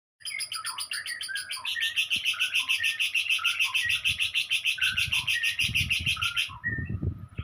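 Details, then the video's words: Lovebird delivering a long ngekek trill in the tembakan kores style, used as filler training material for other birds: a fast, steady stream of high chattering pulses that runs about six seconds, with low rumbling noise in the background toward the end. "lb ngekek isian tembakan kores"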